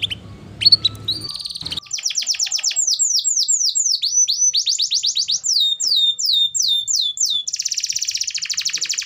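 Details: A canary in full song, used as a lure to stir reluctant canaries into singing, gives a long, fast, varied song of bright whistled phrases, quick down-slurred notes and rolling trills, high-pitched and continuous after a brief noisy start.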